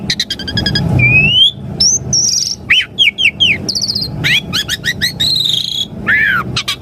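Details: Asian pied starling in full song, a lure for caged birds: rapid stuttered notes, a clear upslurred whistle, a series of three downward swooping calls, then buzzy trills and a drooping final whistle over faint low hum.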